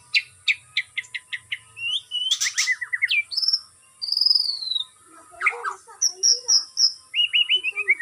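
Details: White-rumped shama, kept captive, during stamina conditioning through routine outdoor exercise. It sings a varied song: a run of evenly spaced sharp clicky notes, then rising and falling whistles, a long high slurred whistle, and a closing fast descending trill.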